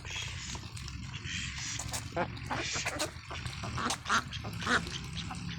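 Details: Ducklings on a free-range farm, jumping about in a field, giving nasal quacking calls in uneven bursts amid clattering, scuffling noise and low background rumble.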